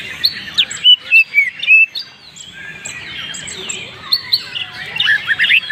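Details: Banyuwangi greater green leafbird delivering a luxurious 'isian' song: a run of clear rising whistles, a quieter dense warbled stretch, then loud rapid chirps and twitters crowding the last seconds.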